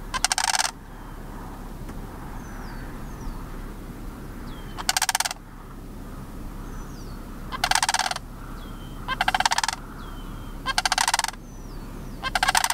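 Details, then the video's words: Two juvenile Sandhill Cranes at George W. Mead Wildlife Area give harsh, rolling rattles in bursts under a second long, spaced a few seconds apart, with faint thin whistles between them over a steady low rumble. "Juvenile Sandhill Cranes"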